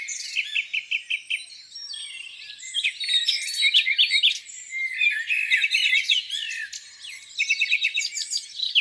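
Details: Lakeside dawn chorus in spring: quick bursts of repeated chips alternate with tangled warbling phrases from several birds, the chips returning in short series at start and end.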